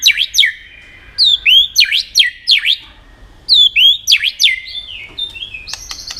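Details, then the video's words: Varied competitive song of a white-rumped shama. Rapid V-shaped whistles dip and rise, mixed with looping slurred notes in bursts, then a brief pause before a similar run and a few dry clicks. "chòe lửa hót nhiều giọng nết búng cầu.kích chòe lửa hót đấu đập đuôi căng lửa"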